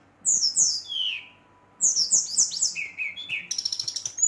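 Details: An agitated Brown-chested jungle flycatcher sings to rile up other males of its kind. It gives clear, descending high whistles in two runs, the second ending in a fast, even rattle of sharp notes.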